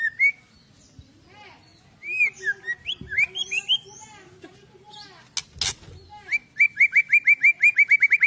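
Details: Agitated, fighting-mood white-rumped shama song used to provoke other birds: varied clear whistles and slurred upward notes, a sharp click midway, then a fast run of about a dozen evenly repeated bright notes.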